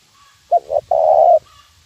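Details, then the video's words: Single 'nguku' lure phrase of a spotted dove for training birds: a quick double coo and then a long, level, mellow coo lasting about half a second. "suara pikat terkukur nguku"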